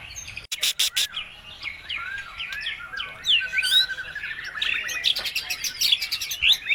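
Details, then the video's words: A white-rumped shama sings vigorously, its varied song rich with imitations of other birds, played to draw other birds into singing; twisting whistles, rapid trills and crisp high clicks tumble together. "PANCINGAN MURAI BATU GACOR MATERI FULL ISIAN BURUNG LAIN LANGSUNG NYAUT IKUT GACOR"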